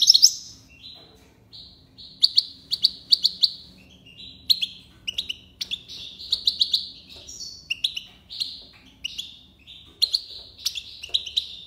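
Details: European goldfinch from Algeria singing in the tiwawati style: a rapid, bright twittering of high chirps and short trills, with clusters of sharp notes broken by brief pauses.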